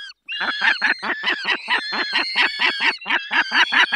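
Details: Peregrine falcon at a feeding in the Barycz Valley, Poland, 20 May 2021: a rapid, evenly spaced series of harsh, clipped cackling notes, about four per second, loud and close.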